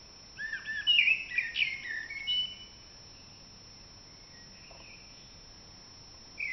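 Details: Common blackbird starting the April dawn chorus: a rich warbled phrase of mixed fluty notes lasting about two seconds, a short trailing note, then near silence with a faint distant sound at the end.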